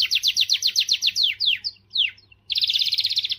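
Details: Canary song to motivate females: a run of loud, downslurred sweeping notes that slows and spreads out, a short gap, then a fast, bright, high trill.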